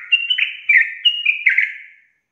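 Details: Chatty sooty-headed bulbul singing 'ropel' style to trigger rival bulbuls: a few mellow gurgling whistles slurring downward, four quick bursts before fading to silence.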